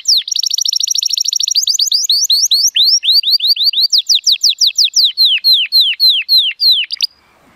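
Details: Timbrado Español canary male, born 2018, rated 83 points, singing in sunshine. A rapid high trill slows into a run of separate swooping notes that rise then fall, repeated roughly three times a second, ending abruptly.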